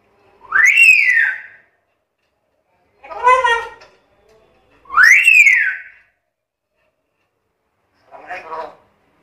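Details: Black-capped lory, a very chatty bird said to be able to talk, giving two loud whistles that sweep up then fall, each followed by a shorter harsh, voice-like squawk with stacked tones, spaced by quiet pauses.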